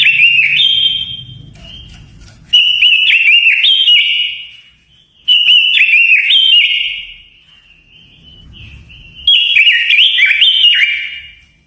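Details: Japanese white-eye giving a lure song used to draw and provoke wild birds: repeated loud phrases of quick, high, chattering whistles that rise and fall, separated by short silences.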